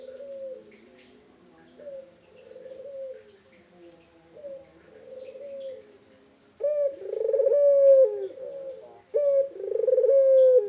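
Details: Local Indonesian puter dove calling persistently, unedited: several soft rolling coos, then two much louder, closer throbbing coos each ending in a long steady note.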